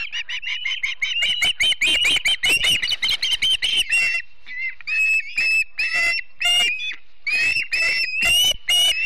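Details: Osprey family at the Charlo nest in Montana on a typical September morning: rapid series of shrill, high whistled chirps, then spaced, slightly upslurred piercing whistles, loud and close, from wild birds on a live nest camera.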